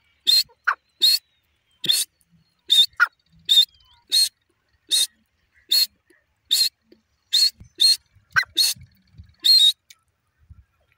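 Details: Female grey francolin (teetar) calling: loud, harsh, clipped bursts repeated at an uneven pace of roughly one per second, some notes doubled, with quiet pauses between and no other clear sounds.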